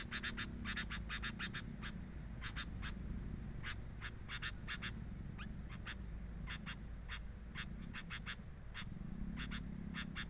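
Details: Sooty-headed bulbul nest recorded with a hidden camera: dense runs of rasping, noisy bursts repeated through ten seconds, with brief pauses between the groups, over a droning low background hum.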